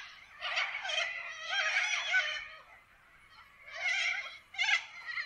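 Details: Wild little corellas in Australian forest giving long, grating screeches in bursts, a drawn-out raspy squawk followed after a pause by shorter harsh cries.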